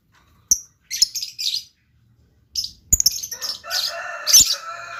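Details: Chirping blue lovebird with sharp high notes and scratchy bursts, ending in a longer, rougher chatter with lower tones, plus a few clicks.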